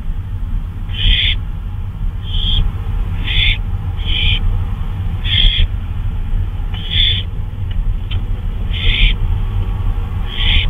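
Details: Owl out on a flyabout at 2:39 AM on May 26, 2013, giving about ten short, harsh, hissing screech bursts at irregular intervals over a steady low rumble.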